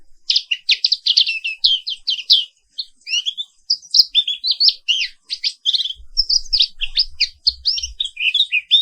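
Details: Black-capped white-eye from Indonesia, Papua pleci 'wiklus', singing a continuous rolling morning song: a dense run of rapid, high twittering notes that barely pauses, with a soft low thump late on.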